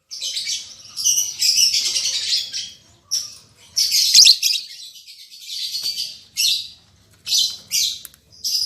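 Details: Caged lovebird pair just matched for breeding, albino MM male with lutino MM female, giving shrill high chatter in long rasping runs broken by brief gaps, then clipped squeaky bursts near the end.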